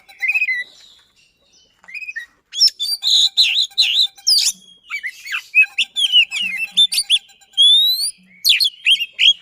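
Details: Oriental magpie-robin song meant to trigger a non-singing magpie-robin, delivered fast and dense: a few soft whistles, brief pause, then a long run of varied chirps, trills and clear upslurred whistles.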